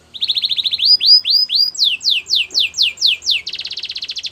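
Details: Canary singing for training: quick chips speed into rounded upswept whistles, then slower loud downslurred notes, ending in a dense buzzy trill.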